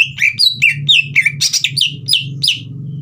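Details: A green leafbird pours out fast whistled song to provoke a young speckled bird into singing; notes slur downward in quick succession, roughly four a second, over a steady low humming background.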